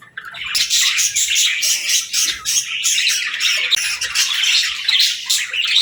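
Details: Pet parakeets kept with lovebirds chirp in the morning as they greet the day: a dense, continuous chatter of high, scratchy squawks and tweets from many birds, swelling and dipping, with a brief quiet start.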